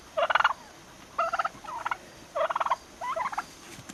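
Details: Several growing turkeys, nearly six months old, gobble in four clear rattling bursts, each a tight string of quick pulses separated by short silences.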